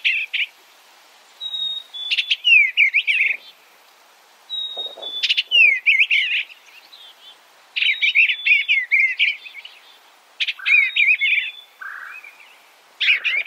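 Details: Eastern bluebird repeating phrases of busy, twisting warbled notes about every three seconds, each often opened by a brief thin whistle; quiet background, no other birds.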